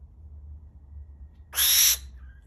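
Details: Captive barn owl at an owl cafe in Tokyo, Japan, giving a single harsh, hissing screech about half a second long after a quiet start, followed by a faint thin tone; low room hum underneath.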